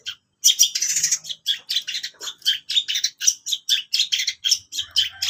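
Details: Long-tailed shrike singing a dense, rapid chatter of harsh, scratchy high notes, packed almost without pause after a short silence, with bursts grouped about every quarter second.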